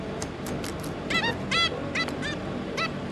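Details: Zebra finches, a pair of parents with their three juveniles, recorded 5 August 2022: short nasal honking calls given singly and in quick pairs, about eight in three seconds, over a steady low background hum.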